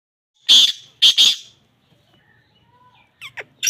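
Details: Black francolin (kala teetar) calling: one short harsh, rasping burst, then a doubled grating note half a second later, a quiet gap, and a few clipped fainter notes closing the sequence.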